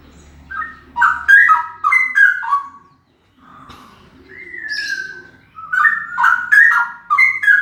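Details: Male straw-headed bulbul giving a very loud song of rapid, liquid whistled notes in two bursts, with a long smooth slurred whistle in between.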